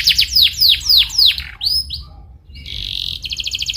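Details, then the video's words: Lure recording of a canary singing in a rolling style to coax a canary into song: five bright downward-slurred notes in quick series, short whistles, a brief pause, then a steady rapid trill. "PANCINGAN Cuit Cuit Cuit Kenari Belajar Bunyi gacor ngerol"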